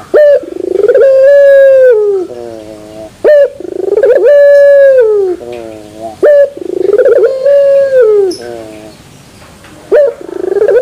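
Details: Pelung-style turtle dove song with a metallic terasan ending: a brief accented note, then a long wavering coo sliding down into clipped closing notes. The phrase repeats four times, spaced roughly three seconds apart.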